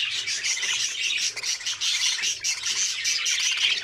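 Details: Several young budgerigars in their nest, fed and feeding each other, make overlapping shrill, scratchy chirps in quick pulses roughly once a second, a busy, high, unbroken chatter with brief dips.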